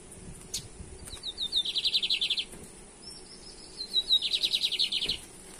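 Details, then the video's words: Lined seedeater song of the caça rato versus torneado styles, recorded in Brazil in 2023: a few thin high notes lead into a fast buzzy trill of rapidly repeated notes, given twice. "BIGODINHO CAÇA RATO VS TORNEADO EM 2023"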